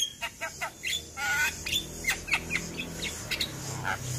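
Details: Javan myna singing as a master song for training young birds: rapid harsh squawks, clicks and short whistled notes repeating in quick bursts over a steady low hum.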